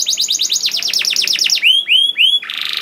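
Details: Caged male canary song used as a lure to make other canaries sing: fast repeated trills of downward-sweeping notes, then three slurred rising whistles and a harsh buzzy note at the end.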